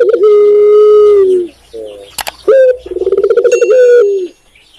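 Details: Indonesian spotted dove (tekukur) gives a long drawn low coo, a soft short note and a brief click, then a sharp accented note, a rapid rolling series of pulsed coos and a final long falling coo.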